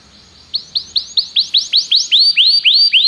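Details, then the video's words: Common canary song: a series of rising upward-swept whistled notes repeated about four times a second, growing louder and longer. "Canários cantam"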